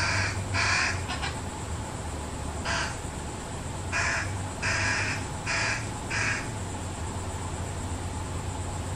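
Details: Fish crow family with an only-child fledgling being fed by its parents: short nasal caw notes with bright harmonics, given in an irregular series of about seven, some paired, over steady low background hum.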